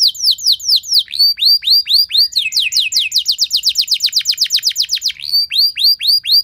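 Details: Canary song used as a lure to prompt other canaries to sing, a long, loud 'nembak' style: downward-sweeping whistled notes, then a fast rattling trill of about four notes per second, returning to slurred sweeping whistles.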